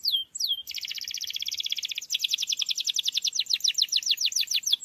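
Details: Canary singing as a lure recording meant to provoke a reluctant canary: two quick downslurred whistles, then a long fast rolling trill that gradually slows into separate pulsed notes.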